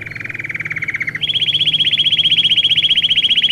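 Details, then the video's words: Belgian canary training song: a lower, pulsing trill for just over a second, then an abrupt switch to a higher, fast, even rolling trill repeated steadily to the end. "Canto para ensinar canário belga,Canto treinar canário belga"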